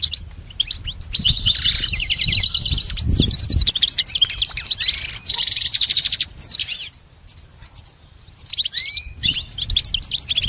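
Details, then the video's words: Goldfinch song meant for training a pet goldfinch: a long, dense run of bright twitters and trills, easing off into sparse high chirps and a lone rising note before resuming briefly. "Teaching the goldfinch the art of song-advanced lessons in best chirps"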